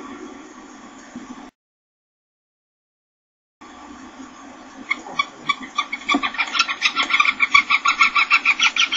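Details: Common kestrels at Helmond: after a quiet, briefly silent start, a rapid run of sharp, harmonic, repeated notes builds in loudness, about three per second, over a low background rumble.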